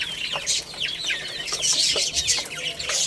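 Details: Many baby chicks chirping while playing and eating, loud overlapping shrill peeps, some rising then falling, packed with almost no gaps.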